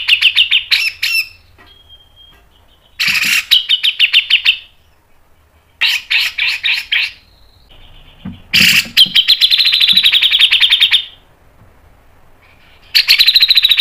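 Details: Cucak jenggot, the grey-cheeked bulbul, singing its fast 'mbeset' style as a prompting recording: choppy, repeated bursts of raspy chattering notes, one lengthy rattling run near the end, and brief thin whistles between phrases.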